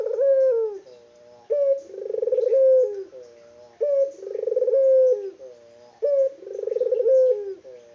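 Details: Local turtle dove, very vocal, repeats its coo steadily, about every two seconds: a clipped opening note followed by a trilled, throaty rolling purr that tails off downward.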